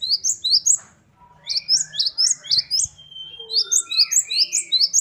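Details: Great tit (gelatik batu) in full varied song: clusters of high hooked chirps, then long drawn thin whistles, then more rapid chirp runs. A faint low hum lies in the background.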